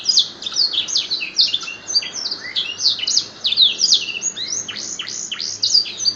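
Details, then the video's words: Champion canary trained on black-throat song, delivering a rapid, unbroken stream of high, varied whistles, trills and downward-sweeping notes, loud and clear with almost no background noise. "Burung Kenari Isian Blackstroath Juara"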